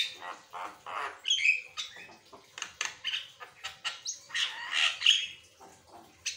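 A Javan myna sings nonstop: harsh, squawky chatter with rasping bursts, mixed with a few shrill whistled notes, several bursts each second.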